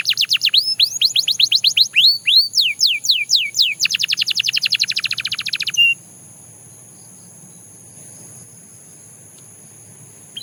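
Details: Singing Belgian canary: bright falling whistles give way to a dense, buzzy rolling trill lasting about two seconds, ending in a short note, then a few seconds of near silence.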